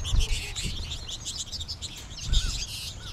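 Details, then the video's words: Flock of American goldfinches, with more birds heard in the trees overhead: dense overlapping high twittering chirps in quick bursts, a few lower whistled notes, and low thumping noise at the start and near the end. "American Goldfinch flock"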